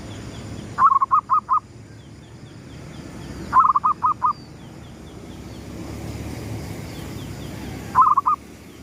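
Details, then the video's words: Local zebra dove cooing at sunrise in the gedong mengo style, used as a lure call: three bursts of quick mellow bubbling notes, four or five per phrase, spaced a few seconds apart over a low rumbling background. "suara pikat perkutut gedong mengo,manggungnya pas menyongsong mentari terbit"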